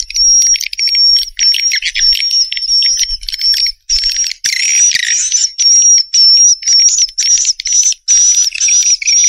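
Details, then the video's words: Swiftlet twittering in repeated bursts roughly twice per second, high and buzzy, over a steady thin whistle-like tone held through most of the clip. "SUARA WALET MAXIMUM ORIGINAL RESPON WALET LENGKET"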